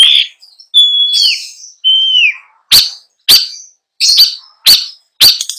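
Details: Long-tailed shrike song, a mimicking 'isian' song: clear whistled notes sliding down, then a run of sharp, broad clicking notes about every half second; no other sounds.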